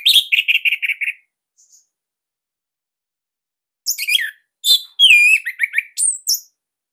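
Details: Orange-headed thrush song with an unique, tight and loud delivery, used to train other captive birds. It opens with a rapid series of repeated whistled notes, then after a pause come varied sweeping whistles and quick trills.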